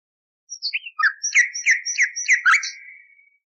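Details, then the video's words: Common nightingale in an old restored recording used to train canaries: a brisk string of about a dozen high, twittering chirps with upward flicks, sung quickly and tailing off, against a clean, silent background. "Bülbül Ötümlü Kanarya Eğitimi İçin Bülbül Sesi ve Ötüşü"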